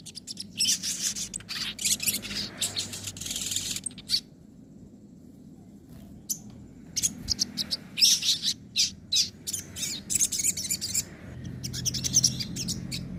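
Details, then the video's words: Sogon nembak and ngobra song meant to train other birds: repeated bouts of rapid, shrill high chattering separated by short silent pauses. "masteran suara sogon nembak & ngobra"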